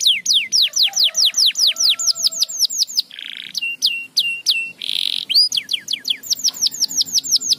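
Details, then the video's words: Canary sings rapid falling whistled tours, broken by two short buzzy rolls and a string of sharp clipped notes, then returns to a fast, bright trill. "muito eficaz para estimular o som do chilrear dos canários preguiçosos"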